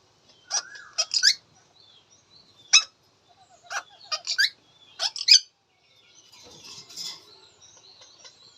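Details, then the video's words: Indian ringneck parakeet, said to be talking, gives a series of sharp, shrill squawks and chirps in irregular bursts, some doubled, then softer scratchy chatter toward the end. "Indian Ringneck Talking Funny Parrot Sound"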